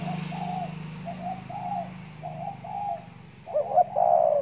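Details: Caged decoy spotted dove sunning in the morning in Kepulauan Riau, Indonesia, giving soft low coos in an even series, then a louder rolling coo phrase at the end, over a steady low-pitched hum.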